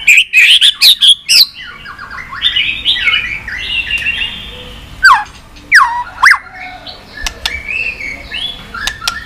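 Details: White-rumped shama singing to stimulate and train birds. Rapid loud whistled notes open, followed by looping descending slurred whistles, a few sharp downward-swept notes, and thin clicks near the end.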